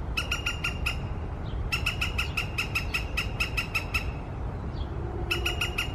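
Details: A woodpecker sounds off in the morning with long, rapid runs of loud, harsh, sharply cut notes, broken by short pauses, while a soft faint chirp appears twice and a low rumble continues beneath.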